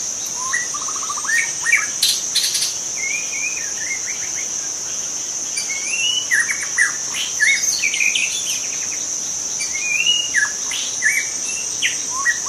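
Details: Wild white-rumped shama from the forest pouring out a long, varied whistled song of rising slurs, trills and sharp chips, backed throughout by a constant high-pitched insect drone.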